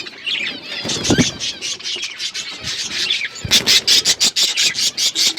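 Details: Budgerigar flock in an outdoor aviary, chattering with dense warbled chirps high in pitch, joined in the second half by a run of rapid broadband rasping pulses.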